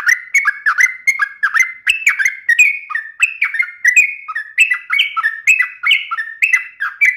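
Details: Sooty-headed bulbul singing in a sharp, rapid, continuous ropel style meant to get other birds to answer; dense stream of quick slurred whistles, each note dropping in pitch, repeated several times a second without a break.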